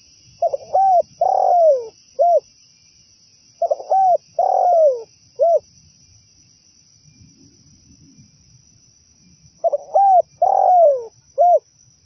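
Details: Zebra dove lure song for catching doves: three phrases, each stuttered notes, two falling coos and a brief closing note, separated by a quiet pause, with a continuous thin electronic whine.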